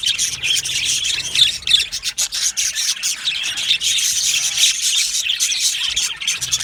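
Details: Happy budgerigars in an aviary colony keep up a dense, unbroken chatter of scratchy, high warbles and quick chirps, with many birds calling over one another.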